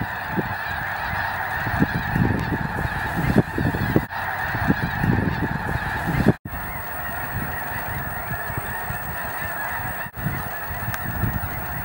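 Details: Geese in flocks coming down to land at Cameron Prairie National Wildlife Refuge in Louisiana's Cameron Parish, a massed wall of overlapping honking running throughout, two abrupt breaks, and low rumbling thuds beneath the chorus.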